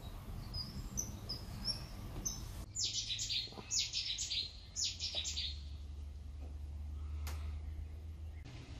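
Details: Common kingfisher recorded at Warandeputten in 2018. It gives a run of shrill, high whistled notes in quick bursts, repeated over about three seconds, then falls quiet. A steady low hum and soft background noise continue throughout.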